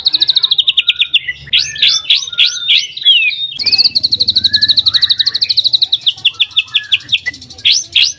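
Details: White-rumped shama song intended to make other shamas sing, for morning use: fast repeated high notes, looping whistled phrases, then a long even trill slowly falling in pitch, closing with sharp upswept notes.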